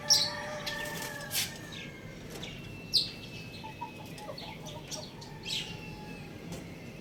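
A young rooster gives short, thin chirps and a brief harmonic trill, scattered irregularly, among rustling and wing-flapping noises.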